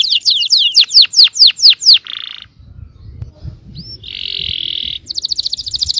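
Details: Yellow canary singing as a lure for other canaries: about nine sharp down-swept high notes, a buzzy roll, a quiet gap with faint rumble, another buzzy roll, then a quick high trill.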